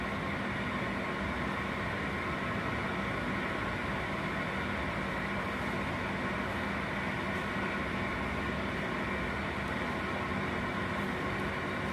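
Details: Steady mechanical hum and broadband noise, like a running vehicle or appliance, with no animal calls. Only a few faint clicks break the constant drone.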